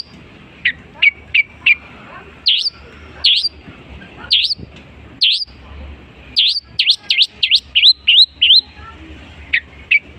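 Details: Long-tailed shrike imitating other birds: scattered sharp high chips, then loud downward-slurred notes and a quick run of similar notes, spaced unevenly.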